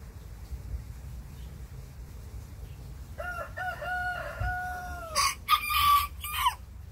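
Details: Tiny Bantam roosters answering a big rooster next door: a long, lower, steady crow is followed by loud, harsh, higher-pitched broken crowing bursts, three or four in quick succession.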